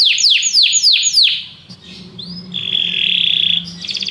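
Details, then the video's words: Canaries singing together after hearing music: five loud high downward-sweeping notes, a short pause with a rising whistle, then a long steady buzzy trill held for over a second, ending in a rapid pulsed tour. "muitos canários cantam junto depois de ouvir essa música"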